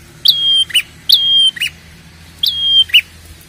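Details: Red-headed prinia, as described, in a lure recording for drawing out prinia calls: three phrases of a sharp sliding whistle leveling off, each ended by a short burred note, spaced about a second apart.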